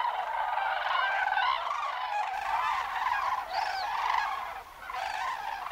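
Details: Cranes passing in migratory flight, their harsh trumpeting calls blending into a steady, slightly muffled chorus of many birds, fading briefly near the end.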